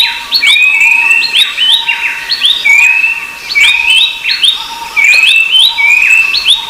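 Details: Rufous-browed babbler (Pellorneum capistratum) calling: drawn whistles that rise gently, repeated throughout, amid dense sharp chirping from other birds and a continuous high hiss.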